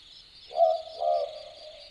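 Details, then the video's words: Australian Boobook calling at night in the Aussie bush at Dharug, Australia: a mellow, low two-note 'boo-book', the second note slightly longer, over a steady high trill of crickets. "Boobook Owl Call - The sounds of an Australian Boobook calling at night"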